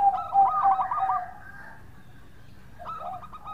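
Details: Local zebra dove in full song, a rolling series of soft, rapid coo notes that falls slightly in pitch and is then followed after a quiet pause by another short burst of cooing.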